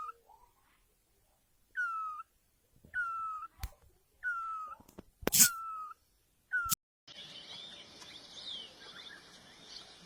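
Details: Great barbet from Asia giving a run of drooping mellow notes, one to two seconds apart, broken by sharp clicks and knocks, followed by a stretch of hissing noise.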